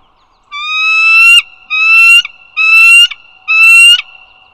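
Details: Bald eagles along the Dulles Greenway, northern Virginia, on the morning of 16 April 2022. There are four loud, drawn-out whistled notes, each rising slightly and ending in a quick downward flick, about one per second, over a thin steady background tone.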